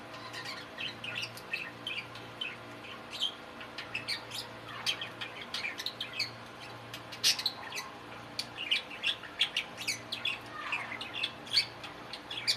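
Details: Male pet budgerigars talking: a steady, quiet stream of high, scratchy chatter and warbling with many short chirps and clicks over a faint low hum.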